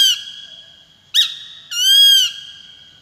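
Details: Calling Peregrine falcon: the tail of one wail, then a sharp abrupt note and a longer, harsh, buzzy wail that arches gently before fading. The background is clean and quiet.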